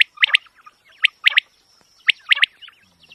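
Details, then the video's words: Quail call used as a hunting lure: crisp triple-noted phrases, each a quick run of three sharp whistled notes, coming about once a second over a steady thin high tone. "QUAIL SOUND very original sound"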